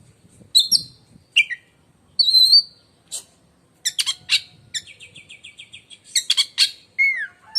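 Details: Oriental magpie-robin contest bird with a shrill song: spaced high chips and slurred whistles, then a rapid run of repeated buzzy notes and a final descending whistle.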